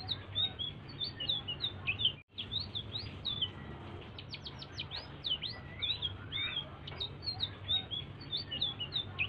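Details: Blue-throated bee-eater singing softly and persistently, a lure to prompt other birds to sing; dense high-pitched chirps and slurred whistles, a brief dropout near two seconds, then a burst of quick rising flicks, with low hum beneath.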